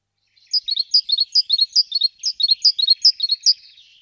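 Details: Song of a great tit, Parus major: bright paired whistled notes repeated quickly and steadily, about a dozen phrases in one continuous run.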